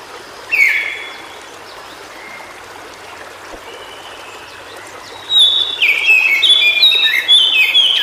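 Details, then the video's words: White-browed shortwing, natural habitat: a single sharp whistled note, a few faint thin tones, then a burst of fast, high, jumbled warbling notes that continues to the end over a quiet hissing background. "Suara Burung Cingcoang Biru Di Habitat Aslinya"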